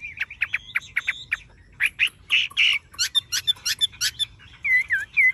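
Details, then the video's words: Varied song from a tame, yellow-billed and yellow-legged Chinese hwamei: quick staccato notes, harsh chattering bursts, then looping whistled slurs, delivered in energetic, closely spaced phrases. "Họa mi thuần đét chân mỏ lông lá vàng ươm - Hót như máy"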